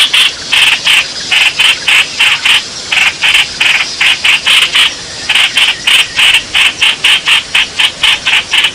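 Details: Bulbul calling for a mate, 28 May 2021, with long runs of quick, raspy notes broken by brief pauses, about three to four notes per second, over a faint hiss.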